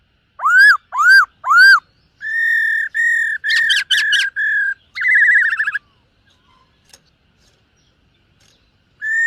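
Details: Silver-eared laughingthrush in 'múa' style morning voice-training song: three upswept hooked notes, then a string of level whistles and a buzzy rattling phrase. A pause follows, and a single whistle ends the passage.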